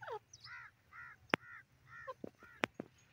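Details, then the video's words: Grey francolin, known locally as irani teetar, giving a series of short, arched, nasal notes at a steady pace, interrupted by loud sharp clicks. "irani teetar ka awaaz,gray francolin birds voive"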